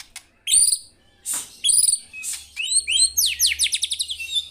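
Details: White-rumped shama in full song: high, clear whistled phrases mixed with sharp chips, ending in a fast run of repeated descending slurred notes, with a faint low hum beneath.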